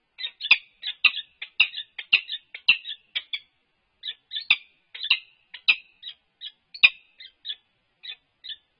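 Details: Courting peregrine falcons at UC Berkeley, recorded on a livestream dated 3-4-22 while head bowing and scraping a nest. Raspy, clipped chirps run about two per second, broken by a short pause near the middle.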